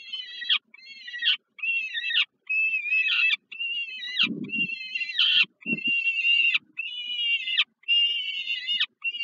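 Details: Young peregrine falcons being fed dinner by their mother at the Żerań heat plant nest, Warsaw, Poland, July 2022, scream in a steady series of about nine rasping, wavering calls, each cut off sharply, with a few dull knocks.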